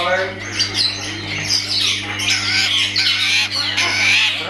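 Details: Long-tailed shrike kept as a caged bird, uttering harsh, noisy squawking and scratchy rasping phrases with occasional thin whistled notes, throughout, above a faint hum.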